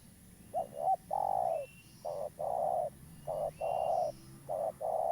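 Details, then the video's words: Local spotted dove calling vigorously, suited as a lure bird for trapping; low hollow coos in short groups, two quick notes then a longer drawn-out coo, repeated several times, with a faint thin whistle above and a quiet hiss behind. "Tekukur lokal gacor , cocok untuk pancingan"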